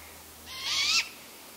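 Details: A juvenile great grey owl calls out to its parents, with a sibling heard in the background: one harsh, hissing screech lasting about half a second, with a faint rising whistly edge. The background is otherwise quiet.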